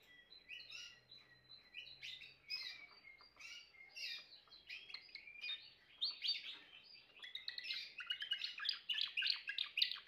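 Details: Timbrado canary singing varied whistled and trilled phrases that build into a dense, loud rolling trill in the second half, with a faint low hum in the background.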